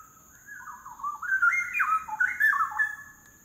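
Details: Straw-headed bulbul (Pycnonotus zeylanicus) singing a rich, bubbling warble of rolling, liquid notes that swoop up and down for about three seconds, with a faint steady hiss behind it.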